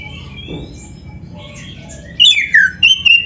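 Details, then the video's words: Oriental magpie-robin singing, used to stimulate other birds: quiet thin whistles at first, then loud, sharp descending whistled slurs and bright piping notes. "SUARA BURUNG KACER GACOR ISIAN"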